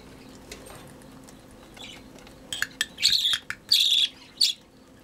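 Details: Hand-fed budgerigar chick begging: soft rustles and clicks at first, then several loud rasping, buzzy bursts in quick succession during the second half.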